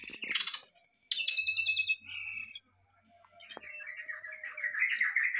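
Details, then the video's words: Agitated brown-chested jungle flycatcher song: dense high chattering and whistled notes, sliding phrases and a scratchy, wavering trill at the end. "sikatan rimba dada coklat muntah emosi"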